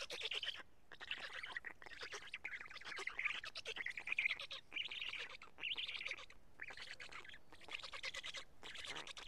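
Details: Black stork nest at Karula on 31 May 2017 around midday, chicks being fed two big fish by an adult; harsh, raspy chattering bursts, high and noisy, repeated in runs of about a second with short pauses.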